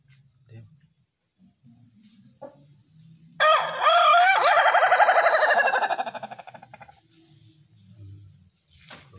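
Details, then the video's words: Melodious ayam ketawa crow: a short rising note, then a long, rich, rapidly pulsed cackling phrase that speeds and fades over a few seconds, against a quiet background. "Ayam Ketawa Bersuara Merdu"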